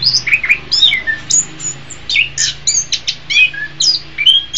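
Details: Anis kembang (orange-headed thrush) training song: varied downslurred whistles and high chirps in quick, irregular phrases, with a faint low hum behind.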